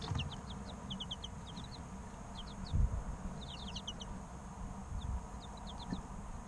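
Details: Three-week-old chicks chirping in loose groups of thin, high, falling peeps, with brief pauses between bursts and a soft low thump.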